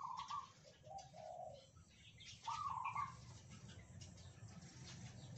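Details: Captive Red Junglefowl of Sumatran origin, raised from a day-old chick, answering one another's crows in one cage. A faint, segmented crow is followed by a shorter second one, over constant low noise and hiss.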